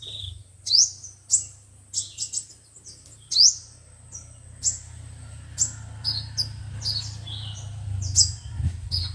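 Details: Song of five-colored and seven-colored sunbirds broadcast to trap birds: scattered very high chirps and quick rising sweeps, with busy background noise that grows louder in the second half.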